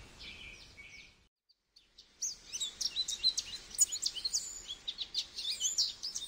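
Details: Goldfinch with a short twitter, then a pause, then a lively, unbroken stream of high tinkling and chattering notes running for about four seconds.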